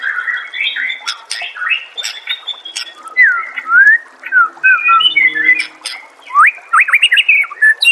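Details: Master song of the white-rumped shama, played to get a caged bird answering and singing. Fast mixed phrases of buzzy twitters and sliding whistles, with sharp clicks and a faint low hum in the background.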